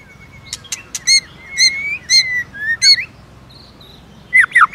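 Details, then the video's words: White-rumped shama with clicking provocation song: crisp clicks alternate with long, clear, slightly wavering whistled notes, followed by a quick cluster of descending slurs. "Chòe lửa kích lửa CỰC HAY-NHIỀU GIỌNG ,tạch liên tục đập đuôi kích chòe lửa lên lửa hót đấu"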